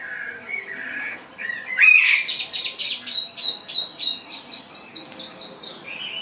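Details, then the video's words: Caged, partly wild-caught Chinese hwamei singing while spreading: soft warbled notes, then a bright, high run of short whistled notes repeated about four times a second, steady and even, ending on a lower note. "HM 438 mộc dở ngũ trường hót là xòe"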